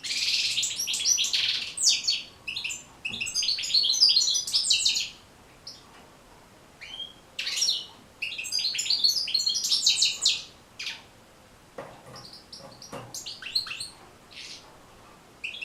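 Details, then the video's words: Goldfinch singing, a recording meant to teach captive goldfinches their song: bursts of quick twittering and jangling notes separated by quiet gaps, with scattered single chirps and high tinkles between phrases. "بتبتة جد مهمة لتحفيظ و تحفيز طيور الحسون على التغريذ"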